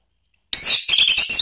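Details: Orange-headed thrush song used as a lure to provoke another thrush into answering and to restart a bird that has stopped singing: after half a second of silence, sharp high chirps and twittering notes burst out in short, quickly repeated bursts.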